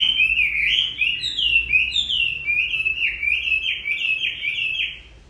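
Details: Chinese hwamei singing in the rain near the end of its moult: a continuous run of loud, varied whistled phrases, sliding and stepping up and down, with steady rain noise beneath.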